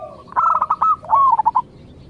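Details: Local zebra dove, singing to draw an answer from other zebra doves, gives one quick phrase of rattling coos sliding into a rolling, stuttering trill, preceded by a soft low coo.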